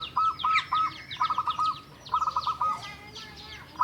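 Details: Local wild-type Javanese zebra dove, kept seven years, singing to prompt reluctant doves: quick bursts of rattled, bubbling notes, repeated in groups, over a constant chorus of small birds chirping in the background and steady low hum.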